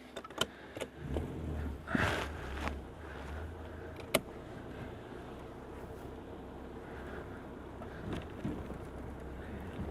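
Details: A vehicle engine idles with low rumble, a few clicks and knocks, and faint distant voices; no animal calls stand out.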